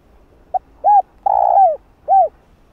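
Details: Spotted dove cooing to stimulate wild doves, 'giọng hạp' voice style: one brief clipped note, a rounded coo, a drawn-out grainy crooo that drops in pitch, and a closing rounded coo, over a quiet background.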